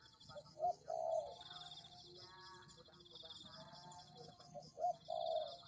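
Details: Two cooing phrases from a spotted dove used to lure tekukur, each a sharp short hoot and a longer low coo, separated by a quieter gap with faint murmuring and a steady high whine.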